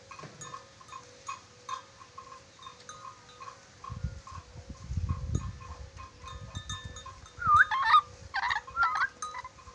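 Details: Red-breasted parakeet from Sulawesi, a clever whistler, gives quiet ticking notes, then a few short, clear whistles that rise and fall, mixed with harsh bursts over low rumbling background noise.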